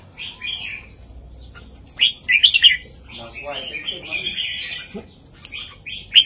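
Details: Red-whiskered bulbul in southern master-song style for tutoring young birds: scattered short chirps, then a loud rolling warble after two seconds and a longer bubbly phrase, over quiet background hiss.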